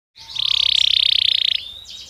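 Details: Belgian canary singing naturally, played as a daily stimulus for training other canaries: a fast buzzy trill held steady at high pitch for over a second, then a brief upward whistle.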